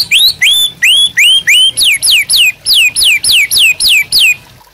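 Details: White-rumped shama in persistent song for prompting and tutoring other birds. Clear whistles, first upswept then dropping, repeated steadily about three times a second in an even series of fourteen notes.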